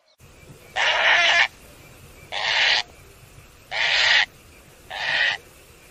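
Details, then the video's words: Demoiselle Crane giving four harsh, rolling croaks, each about half a second long and spaced roughly one to two seconds apart, over a faint steady hiss; offered as a sound for calling cranes. "best sound for calling Crane+ konj"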